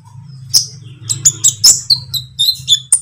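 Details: Green lovebird in trotol style, a lure recording for training caged songbirds: a run of sharp, high chirps and short trills in quick succession over a steady low hum.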